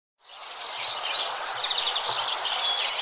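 A dense, continuous wash of high squeaky chattering, whistles and clicks from many starlings calling together, without pause for the whole stretch.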